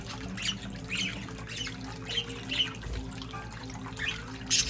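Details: Three young budgerigars, all under three months old, bathe in a fountain, giving short, scratchy chirps and warbles over a steady splash of running water.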